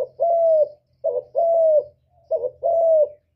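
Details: Spotted dove cooing, used as a lure for trapping and to stimulate caged birds: three low, even phrases, each a short wavering note followed by a longer steady coo, about a second apart, in a quiet indoor setting with faint low hum.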